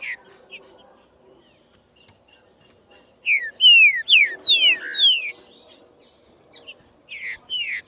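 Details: Green-winged saltator in nature: after quiet background murmurs, a burst of loud, sweet downward-slurred whistles lasting about two seconds, then a pause and two more softer whistled notes. A thin steady high tone persists.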